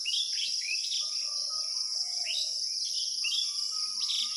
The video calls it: পাখির কিচিরমিচির শব্দ